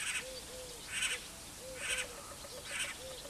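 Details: Great spotted cuckoo (Clamator glandarius) calling: harsh, broadband chattering bursts repeated roughly once a second, with soft lower tonal arched notes between them and a faint background hiss.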